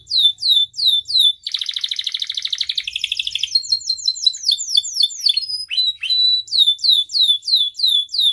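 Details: Domestic canary in varied song, used as a master and lure for other canaries: repeated descending whistled sweeps, a long fast buzzy trill, more rapid sweeping notes, brief pure tones, then steady descending whistles again.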